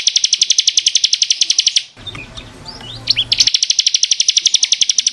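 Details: Bar-winged prinia (ciblek kristal) 'gacor' tutor song for caged birds: a quick, steady, high-pitched trill, interrupted midway by a short passage of softer twittering and swept notes, then the rapid trill returns.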